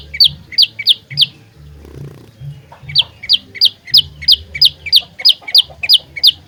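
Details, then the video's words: Olive-backed tailorbird singing in energetic fighter style, used as a trapping lure: sharp rising high notes repeated about three per second, a short pause near two seconds, then a steady run, over a low background hum. "Burung Prenjak Lumut Pikat Gacor Fighter"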